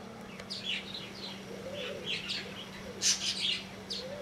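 A White-bellied Sunbird gives high, sharp chirps and quick twittering notes in short bursts, over soft low cooing and a steady background hum.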